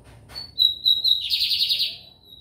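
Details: Lined seedeater (bigodinho americano) from São Luís, Maranhão, Brazil, singing: a few clear, level high whistles, then a fast buzzy trill, ending in a faint thin whistle. The background is quiet.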